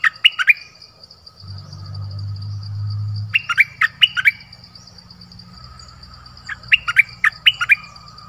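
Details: Decoy nok dok taeng bird calling a mate in a forest on 13 January 2021: two bursts of four to five quick rising chirps, with a steady high insect-like whine and a low hum in the background.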